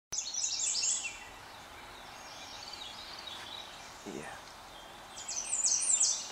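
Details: An American Redstart singing on territory along the Methow Community Trail, Methow Valley, Washington, on 16 June 2013, gives two short bursts of high, thin, quickly repeated notes, about a second each, with a quiet pause between and faint background hiss.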